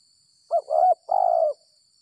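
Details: Spotted dove trapped with a decoy after rain, noted for its gagap 6 mata stuttering call. A clipped three-part phrase: a brief note, a rough middle coo, then a long, even, gently falling coo, very close.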